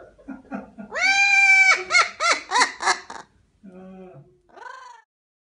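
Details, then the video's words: A parrot imitating human laughter, a burst of loud, harmonic, laugh-like notes: one long held cry followed by three or four rapid pulsing 'ha' notes, then softer short calls trailing off. "Funny Parrot Laughing just like humans"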